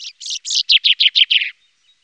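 A chaffinch's bright song phrase: a few buzzy opening notes, then a quick run of about eight sweet notes that slide gradually lower.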